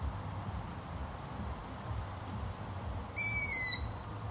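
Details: Quiet background for three seconds, then a long-eared owl gives a single high, creaky, slightly falling squeal lasting about half a second.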